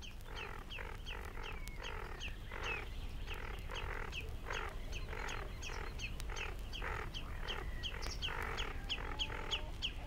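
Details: In reed beds at Matsalu, a Great Reed Warbler sings loudly: harsh, croaking, frog-like phrases repeated rapidly, karra-karra-kiet, over a steady low background rumble.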